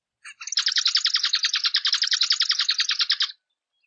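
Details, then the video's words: A zebra finch sings a three-second run of rapid, buzzy, nasal notes, about ten per second and fairly even in pitch, against a quiet background; finding: Zebra finch. "Zebra Finch Singing - Diamante Mandarín Cantando"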